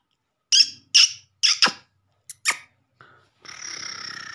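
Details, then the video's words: Black francolin (kala teetar) sound used to summon birds and rouse them: three harsh, grating notes about half a second apart, two brief scratchy strokes, then a steady buzzy nasal tone. "Teetar ko Jaldi bulani aur Masti men lane wali Awaz تیتر کو جلدی بلانے اور مستی میں لانے والی آواز"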